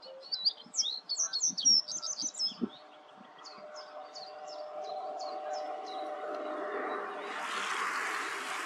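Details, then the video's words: Common reed bunting singing clearly at Grote Netevallei, Gestel, on 28 May 2022: a quick run of high, thin, sliding notes, then a second series of short chirps repeated evenly, before a broad hissing noise rises and covers the end. "Deze zingende rietgors laat zich duidelijk horen"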